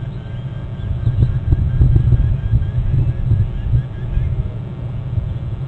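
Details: Deep, uneven low rumble like a passing vehicle or engine fills the recording, with no clear animal calls above it.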